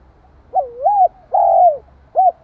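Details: Spotted dove cooing to provoke and stimulate another dove: a clear, low, hollow phrase of three parts, a rolling two-note coo, then a long drawn coo, then a short final note, in a quiet setting.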